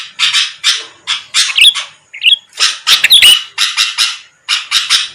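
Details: Sooty-headed bulbul lure song aimed at rival birds: rapid grating bursts in clusters of two or three, with a few rising whistles and wavering slurred notes in the middle.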